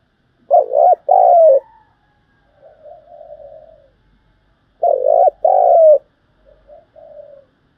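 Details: Spotted dove giving rapid 'thúc gù' coos as a trapping lure: two strong low hooting notes, then a soft trailing murmur, the sequence repeated twice with silent gaps between.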